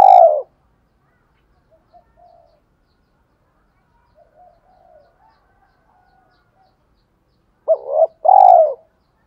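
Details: Spotted dove giving 'thổ pha đồng' style coos to draw wild doves: a loud hoot ending at the start, then near silence with faint soft sounds, then a double note and a long low coo near the end.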